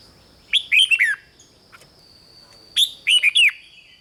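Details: Red-whiskered bulbul, song played to excite caged birds: two cheerful phrases, each of four quick, liquid, down-slurred whistles, about two seconds apart, with a faint high electrical whine throughout.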